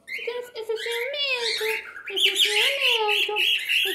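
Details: Jealous pet cockatiel calling while interacting with its owner, a loud run of harsh squawks and rising chirps repeated rapidly over four seconds, with a woman's voice underneath.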